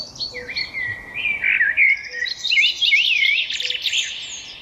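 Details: Birds singing: a lively tangle of high chirps, warbled slurs and rapid twitters, nearly continuous over a faint hiss.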